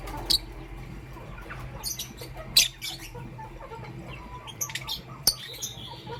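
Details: Morning chirping of pastel gray and green lovebirds: a lively series of brief, sharp, high-pitched chirps at irregular intervals, some doubled, with soft chatter and rustling in the background.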